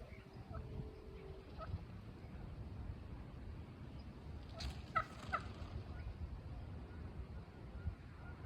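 Wild turkey giving a brief, rattling burst of calls about midway through, over a steady low rumble of wind.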